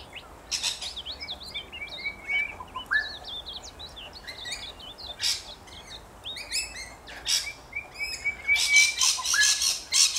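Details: Australian rainbow lorikeets giving harsh screeching bursts between thin squeaky twitters and short whistled notes, the screeches growing denser and louder toward the end.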